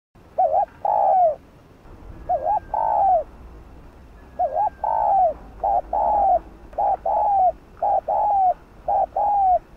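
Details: Spotted dove (cu gáy) urging coos used to stimulate other doves to call: a short wavering note, then a longer falling coo, repeated in pairs about every two seconds, with faint background hiss.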